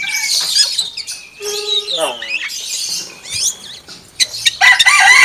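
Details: Common hill myna imitating a chicken, with hoarse voice-like phrases, a low stepped nasal note, then bright scratchy whistles at the close.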